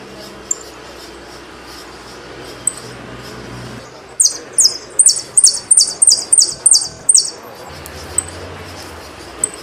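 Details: Argentine saffron finch singing: after quiet background, a run of about eight sharp, very high, evenly spaced notes repeated roughly every third of a second, then a few isolated faint chips.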